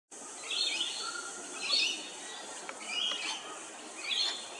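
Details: At Hervey Bay, Queensland, a rainbow lorikeet gives harsh, grating screeches in short bursts about once a second, over a steady high-pitched hiss.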